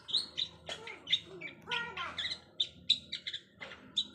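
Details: Caged long-tailed shrike learning mimicked sounds, giving a varied jumble of sharp chirps, short whistled notes and brief down-slurred phrases, with quieter lower notes mixed in.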